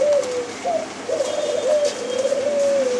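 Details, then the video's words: White dove giving a long, wavering coo: sustained mid-pitched tonal notes that rise briefly, dip and run on almost unbroken for about three seconds, with soft background hiss. "সাদা ঘুঘু পাখি"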